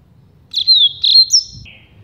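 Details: Single phrase of Rusty-collared seedeater campainha song, a flute-like song type for training young birds: a long descending whistle, a second whistle, then a higher upward flick and a soft low note.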